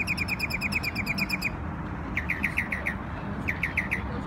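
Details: On Memorial Day in New York a bird sings a fast even trill of about fifteen clipped notes, then pauses and gives two shorter groups of five sharp, hooked chirps, with a steady low hum.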